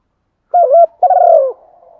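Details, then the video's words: Spotted dove calling in the morning with a bổ một style flock-calling coo: a short two-part hooting note, then a longer burred coo sliding downward, on a silent background. "Chim cu gáy gáy gọi buổi sáng, chim cu đất gáy gọi bầy bổ một"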